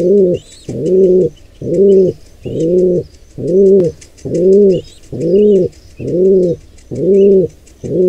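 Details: Pigeon, wild, near a squab attacked by an intruder pair: low hollow coos of about half a second, evenly repeated roughly once a second, with faint high chirps and squeaks above.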